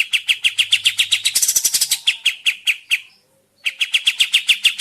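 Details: Sooty-headed bulbul recording used as a lure so birds reply and sing: brisk repeated chip notes, a crowded hissing flurry near the second mark, a brief silence, then the rapid chipping returns.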